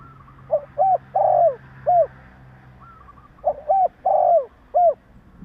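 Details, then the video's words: Spotted dove with a wild bird's voice, recorded in Vietnam to stir other doves into calling. Two matching phrases about three seconds apart, each of brief coos, a stretched descending croon and a closing clipped note. "Tiếng chim Cu gáy Gáy giọng bổi nghe cực ghét / Chim cu gáy kích bổi 100% mở là gáy"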